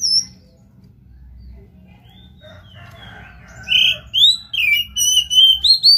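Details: Oriental magpie-robin in full song, played to stimulate another bird: after a quiet stretch, loud whistled notes rise and fall in quick succession over the final two seconds.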